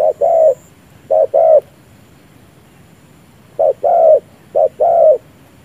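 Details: Spotted dove used as a trapping decoy, giving paired low coos, each a brief note then a longer drawn-out one, in two bursts of two phrases separated by a two-second pause; quiet background.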